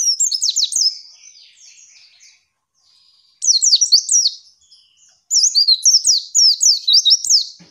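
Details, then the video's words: Female white-eye training song: three bursts of fast, high, slurred twitters, each dense run of zigzag whistles separated by brief pauses, with a faint softer trill between. "MASTERAN PLECI LANGSUNG BUKA PARUH"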